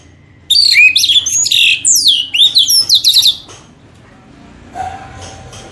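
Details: Orange-headed thrush song used as a lure to make birds sing: a rapid, loud run of varied whistled phrases with steep downward and upward sweeps, dense and fluty for about three seconds, then stopping; faint background hiss afterwards.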